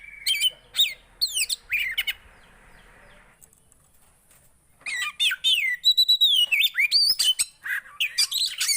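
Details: Javan white-eye singing, meant to coax a quiet bird into song. Opens with sharp chips over a steady buzzy tone, goes quiet briefly, then resumes with a dense run of high twittering and wavering whistled notes.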